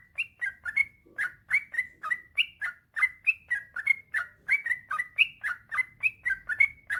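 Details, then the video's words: Energetic yellow-vented bulbul delivering a long rapid song of bubbly, slightly rising chirped notes, roughly three per second, evenly repeated and clear against a quiet background. "Suara burung trucukan gacor ropel panjang"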